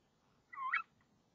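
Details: Female tawny owl in a nest box camera at 05:28 on 26 March 2014, calling as the male arrives with a crumpled frog. A single short, hoarse, harmonic call with a slightly rising then falling shape, over quiet background hum.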